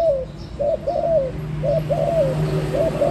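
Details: Spotted dove with loud, mellow coos in pairs, a clipped note then a longer descending slur, repeated steadily over faint hum.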